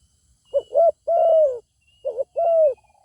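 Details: Zebra dove answering a good-voiced wild bird that refuses to come down and fight; two phrases of short rolling coos followed by a drawn-out, gently falling coo, clear over near silence.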